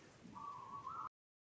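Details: Local zebra dove (perkutut lokal) singing actively, a big-voiced bird: a single sustained cooing tone lasting under a second that lifts slightly at its end before the recording cuts off, with soft background noise.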